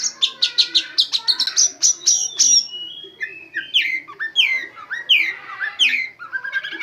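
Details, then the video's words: Oriental magpie-robin singing a training song filled with imitated white-rumped shama phrases; a fast series of sharp high repeated notes, then rich descending whistled slurs and varied warbling. "KACER ISIAN FULL TEMBAKAN MURAI BATU"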